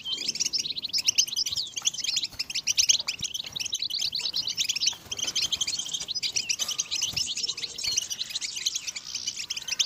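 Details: European goldfinch singing continuously in a motivational song: busy, twittering warble of mixed swept and clipped high notes, with one short pause near the fifth second.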